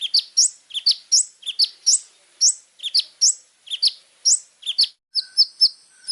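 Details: Little spiderhunter singing in the lively, varied gacor full-isian style used to tutor young birds: sharp rising high chips repeated rapidly in pairs, ending with a run of thin whistled notes.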